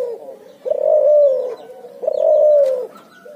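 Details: Cuhu hybrid of puter and tekukur doves calling ngoar nguku: two long, full, hollow coos that level off and then slide down, separated by a quieter murmur.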